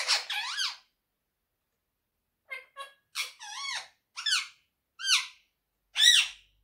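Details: A pet monk (quaker) parakeet talks in short, squeaky, nasal phrases, about seven bursts with slurred rising and falling tones, in a quiet room.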